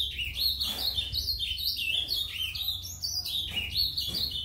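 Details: A brown-plumaged ultramarine grosbeak murmurs a soft, continuous subsong of high warbled notes, rising and falling without pause, over a low background hum.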